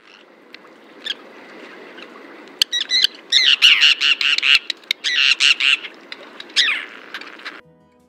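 Common tern giving a rapid series of harsh, grating high-pitched calls, about two per second, bursting in after a quiet start with faint background hiss.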